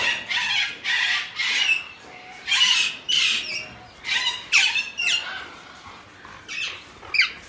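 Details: Alexandrine parakeet giving a steady series of loud, grating squawks, about two per second with short gaps, some notes sharply rising at the end.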